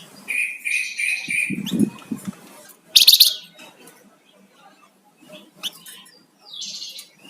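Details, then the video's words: Flamboyan songbird singing energetically: a run of four steady, buzzy whistled notes, then a sharp burst and a later short chirping phrase, with quiet gaps between. "Suara Burung Flamboyan Gacor"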